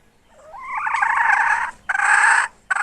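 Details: Hen recorded in 2021: a rising, swelling raspy note builds into a loud harsh squawk over a second long. A second strident burst follows, then the start of a third.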